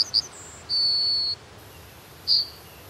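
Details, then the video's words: Yellowhammer, a song fragment: two quick high notes, then a long, drawn-out, level high note, and one further short high note. "Vögel und ihre Stimmen - Goldammer"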